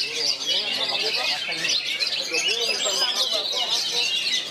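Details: Several oriental magpie-robins, one surrounded by three rivals, singing in bagong and kerayu manner: a thick stream of high twittering and whistled notes, with a few lower slurred whistles beneath.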